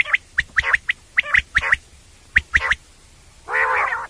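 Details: Common quail heard at night, a recording meant for quail hunting: sharp high notes in quick groups of three with short pauses between groups, ending in a longer rough, buzzy burst.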